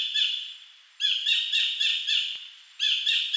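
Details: Collared kingfisher, wild, recorded in 2011 at Bung Boraphet, Thailand, calling often: harsh, squawky notes repeated in rapid bursts, about four per second, with a short pause between series.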